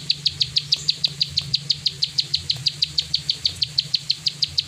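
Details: Plain prinia, 'klik ngacor' singing: a brisk string of bright high-pitched clicks, roughly five a second, evenly spaced, with low hum beneath.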